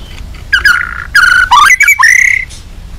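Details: A white-rumped shama in an emotional, provoking mood gives harsh drawn-out squawky notes, then rising and falling whistled slurs, in short loud bursts.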